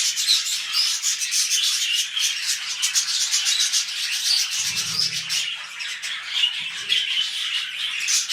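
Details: Budgies kept indoors as pets, mating as a new clutch begins, chatter in a constant rasping, high warble of rapid chirps, with a brief low rumbling rustle near the five-second mark.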